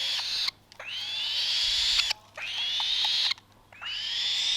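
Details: Black-shouldered kite chick aged 35 days, falconry bird, calling while given food: drawn-out raspy screeches, each rising then holding steady, repeated about every one and a half seconds with brief silent breaks.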